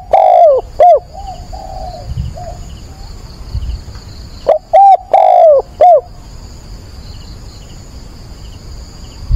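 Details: Decoy spotted dove calling at dawn on 22 October to lure and train wild doves: two loud cooing phrases, each a short note, a paired coo, a long falling coo and a clipped ending note, with a fainter dove cooing between them.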